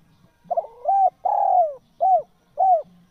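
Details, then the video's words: Tekukur, or spotted dove, calling as a lure for wild doves. The mellow phrase opens with a brief double stutter, then runs into a rounded coo and a drawn-out falling coo. Two shorter arched coos follow about half a second apart. "SUARA TEKUKUR SUPER GACOR"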